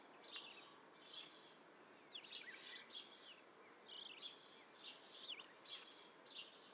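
See-see partridge giving short, high, chirping notes in quick clusters, repeated roughly twice a second over a steady background hiss.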